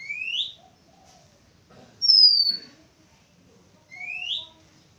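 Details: Oriental magpie-robin singing on 11 April 2023, clear whistled phrases: a rising note, a high falling slur, then another rising whistle, about two seconds apart.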